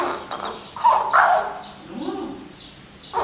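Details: A captive hill myna, May 2015, trying hard to talk back as its owner speaks to it, gives a few harsh, speech-like phrases in quick bursts, with a rising, arched utterance in the middle and a short husky note at the end.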